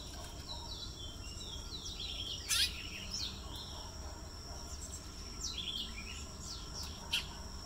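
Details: Large-billed seed-finch (brown twa twa) sings in short bursts of quick, high warbled and twittering notes, with loud clicks, over a steady high insect-like whine and broad background hiss.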